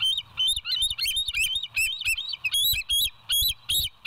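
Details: West End bald eagles calling on a nest cam, 07/09/2023, early morning 06:24: dense, rapid, overlapping shrill chirps and squeals run nonstop, some notes sliding upward.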